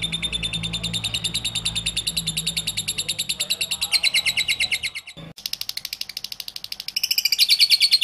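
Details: Long ngekek konslet run by a lovebird: dense, fast, shrill chattering notes that keep going, briefly interrupted after five seconds, then resuming louder and slightly higher toward the end.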